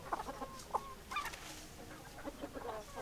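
Several chickens clucking in short, irregular bursts, about three or four notes a second, with a soft murmur of other fowl behind.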